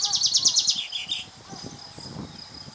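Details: Male common chaffinch singing, one of two males answering each other: a fast series of high, bright trilled notes descending in steps, ending in a short flourish just over a second long, followed by quiet background with faint low rustling.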